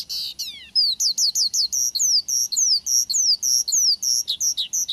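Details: A male Horsfield's (Javan) bush lark sings a fast, unbroken stream of high, sweet whistles and down-slurred notes, nearly two per second, with no other sounds intruding.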